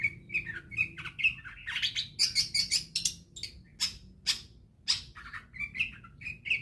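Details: Long-tailed shrike song played to prompt other shrikes into singing: a busy run of harsh, scratchy notes mixed with clear high whistles and chattering bursts, near-continuous over a faint low hum.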